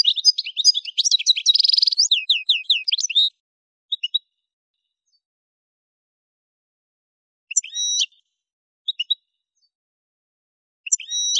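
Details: Algerian goldfinch song from Kef El Hammam in the Souk Ahras region, used to tutor caged birds: a rich three-second phrase of twitters, a buzzy rattle and rising slurred notes, followed by scattered sharp two-part calls.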